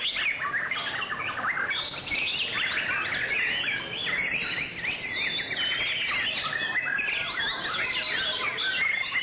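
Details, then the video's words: White-rumped shama in song display: a long, unbroken flow of warbled whistles that zigzag up and down in pitch, lively and intricate throughout. "Shama's Song-Display"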